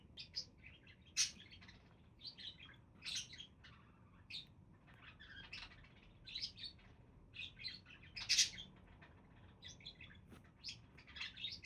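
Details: Budgies in a group warbling and chirping almost without pause, a steady stream of short raspy tweets and clicks broken by a few loud, sharp squeaks, with soft background hum underneath.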